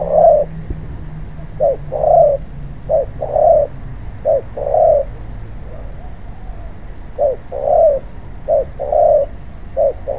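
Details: Wild-caught spotted dove being trained as a ground decoy bird, cooing in short groups: soft, low hooting notes, a brief note followed by a longer rolling coo, repeated about every one to two seconds.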